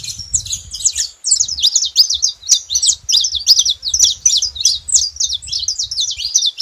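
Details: Steady, busy stream of sharp, high chirps and downslurred notes from a saffron finch, almost without pause, over a light low background hum.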